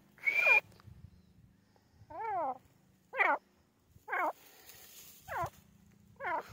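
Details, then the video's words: Grey francolin (teetar) giving a series of ringing, curved harmonic call notes, each repeated about once a second. A brief bright whistle comes first, over a faint low rumble. "Grey francolin teetar ki awaz francolin call"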